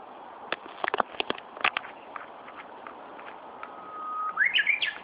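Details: Bird song in Tokyo, Japan, 1 June 2013: after a series of scattered sharp taps and clicks, a level whistle swells and breaks into a brief, rising, warbling phrase, over steady background hiss.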